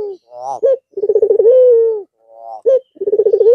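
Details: White Barbary dove with red eyes resuming its manggung after a long rest over Eid al-Fitr: a short rising note, a sharp accent, then a deep pulsed coo drawn into a long steady tone, repeating.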